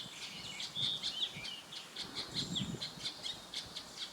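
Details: Ashy drongo, Uttarakhand, India, May 2016: rapid series of sharp high chirps with a brief clear whistle near the start, repeated notes continuing steadily, faint low background rumble.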